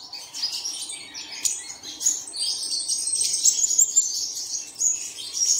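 Bright, high chirps and twitters pour out in a continuous, overlapping stream, like several small songbirds singing at once, with brief louder bursts every second or so.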